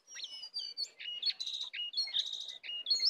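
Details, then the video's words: Sooty-headed bulbul song from a wild-versus-caged contest, packed with 'isian' fill phrases: rapid bright chirps and short buzzy trills following one another about once a second, high-pitched and lively. "pertarungan sengit antara Jongkangan liar vs jongkangan sangkar, full isian"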